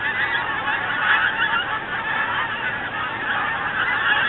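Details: Many geese flying south for winter, constant overlapping nasal honks from a big flock, loud and steady throughout.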